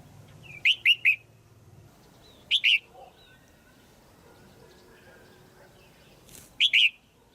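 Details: Female red-whiskered bulbul calling to stimulate a male or for pairing; sharp bright chirps in a quick triplet, then a double note near 2.6 seconds and another pair near the end, over quiet background hum.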